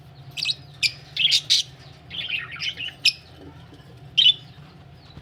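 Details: Budgerigars ready for laying eggs give a string of short, buzzy chirps and a rough warbled phrase, with sharp single notes spaced about a second apart over a low hum.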